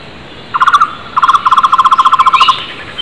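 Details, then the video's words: Flame-fronted barbet calling hard in the wild: two short bursts of rapid low hollow notes lead into a long even trill. A thin rising whistle from another bird follows near the end. "Takur tohtor gacor keras di alam bebas"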